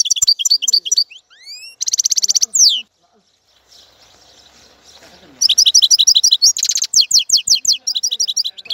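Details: Lively goldfinch song of rapid high tinkling trills, buzzy rasping notes and sweeping whistled slurs, broken by a short quiet pause before the twittering resumes strongly.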